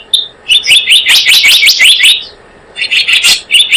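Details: Blue-eared kingfisher lure recording for bird trapping: a single sharp whistle, then a rapid rolling chatter of high shrill notes, a brief pause, and another short chattering run.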